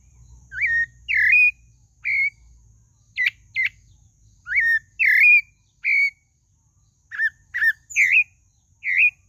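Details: Pale-breasted thrush (Turdus leucomelas) song: short, clear whistled phrases, some slurred and rising, with occasional sharp higher notes, spaced every second or so; a faint steady high hum underneath.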